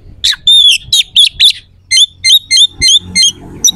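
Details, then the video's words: Oriental magpie-robin provoking rivals with coarse, sharp song. Dense harsh buzzy notes come first, then a rhythmic run of short, clipped, ringing notes at an even pace over a faint low hum. "PANCINGAN KACER AUTO CEPAT RESPON/KACER JADI EMOSI SIAP TARUNG"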